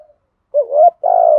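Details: Spotted dove kept as a decoy, urging coo in the thổ style: after a faint note comes a quick rising, wavering hoot and then a sustained, slightly throbbing coo.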